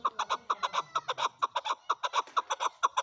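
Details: A short burst of male chukar calling: evenly spaced, clipped chuk notes about four every second, clear and mid-pitched, with a faint low hum early on.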